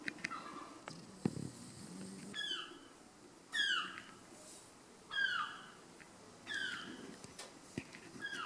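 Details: Herring gull parents give five loud, harsh, downslurred yelps about every one and a half seconds, low rumble between, attacking an intruder having a smoke in a parking lot where their chick was nearby.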